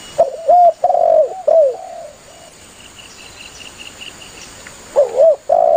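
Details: Spotted dove calling its companions, a sound used to lure doves when hunting: rough, low cooing phrases of short and long notes, then a pause filled by a faint high, evenly pulsed chirping before the cooing returns.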